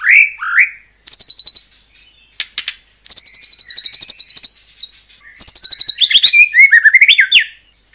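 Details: Murai batu (white-rumped shama) song meant to goad other shamas into replying: two rich low whistles, then fast buzzy high trills in several bursts, ending in a tumbling varied warble.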